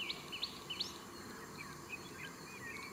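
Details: Little ringed plover at Amruthur Chikka Kere, Karnataka: three sharp, rising whistled notes in quick succession open the recording, followed by softer, fainter calls against a steady background hiss.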